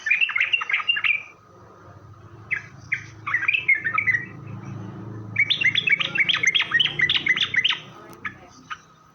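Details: Sooty-headed bulbul singing as a lure so that other bulbuls answer: lively phrases of quick, bright, downslurred chirps repeated in rapid runs, broken by short pauses, over a faint low hum.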